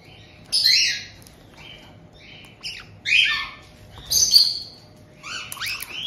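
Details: Resident white-bellied caique pair greeting a new two-month-old youngster in Tokachi, Hokkaido: separate loud shrill squawks about once a second, some with falling tails, and soft chatter in the gaps.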